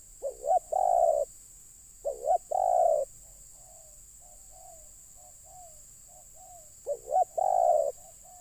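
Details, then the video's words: Spotted dove luring wild birds, three strong phrases of brief rising notes and a drawn-out coo, with a series of soft, faint repeated coos filling the middle gap, over background hiss. "Mikat Terkukur..ll Keren kalau Burung liar Sudah Turun"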